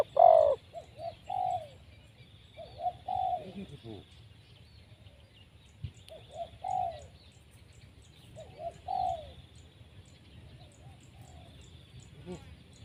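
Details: Wild spotted dove taken by trapping, cooing at a distance: several soft paired coos spaced a few seconds apart, one louder opening note, with faint high chirps of other birds and low background noise.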